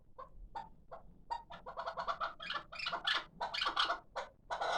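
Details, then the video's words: Hybrid chukar partridge, a six-month-old chick kept for calling: scattered clucks become faster and harsher, turning into a dense, rasping chatter toward the end. "Кабки Гибрид"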